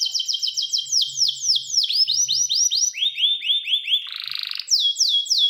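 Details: Canary song: rapid runs of bright downslurred whistles in fast trills, shifting between phrases, then a short harsh buzzy burst and more sliding whistles.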